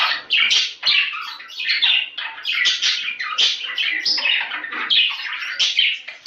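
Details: Budgerigar breeding-stimulation chatter: a lively stream of high, twittering chirps and scratchy squeaks, each note rising or falling quickly, packed closely with only brief breaks.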